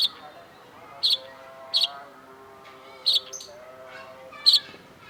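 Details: Long-tailed shrike master recording: loud double-pulsed harsh chirps at irregular intervals of about one second, with soft whistled phrases underneath.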